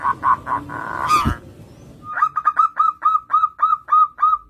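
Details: Perkutut, the zebra dove, in lively song meant to lure young birds: a few blurred opening notes and a brief burst of noise, then a steady run of short, clipped coos with a downward hook, about four per second.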